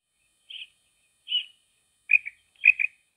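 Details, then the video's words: A common female quail gives four short, high, slightly buzzy notes about two-thirds of a second apart; the last two break into quick double notes. Nothing else is heard. "females quail sound"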